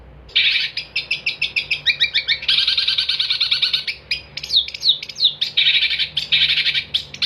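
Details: Long-tailed shrike (cendet) singing vigorously, a recording offered as tutor song for training songbirds: dense fast chattering phrases of high sharp notes, runs of quick ticks alternating with buzzier bursts and a few downslurred whistles, almost continuous throughout.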